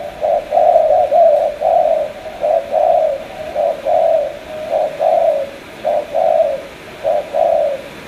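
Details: Spotted dove from Cà Mau, Vietnam, repeating soft, low hooted coos in a steady series of short notes and pairs.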